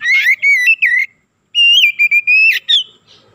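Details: Oriental magpie-robin in full song, played as a lure to excite other magpie-robins: loud, clear whistled phrases near one pitch with sharp upward flicks, two bursts separated by a short pause.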